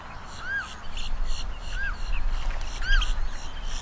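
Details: Long-billed dowitchers, recorded up close at the Celery Fields, Sarasota, Florida, give thin, sharp keek notes, a few short high peeps every second, over a steady low rumble of wind.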